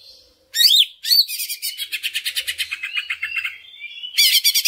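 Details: Greater green leafbird (Chloropsis sonnerati) song used as a lure to stimulate other leafbirds to sing: sharp swooping whistles, then a fast chattering run of about fifteen rapid notes and a final burst of bright phrases.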